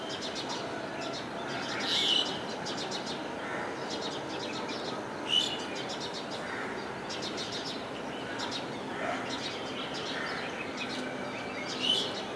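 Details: Common tailorbird at Kalwa, Thane, Maharashtra, India, giving three sharp, high notes spaced several seconds apart, against a steady hiss of background noise and faint chirps from other birds.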